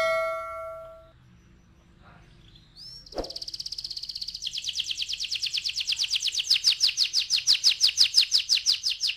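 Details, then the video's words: Canary singing, meant to spur rolling song: opens with steady tones and a sweep, then a long fast trill of repeated high notes that grows louder toward the end. "KENARI GACOR NGEROLL"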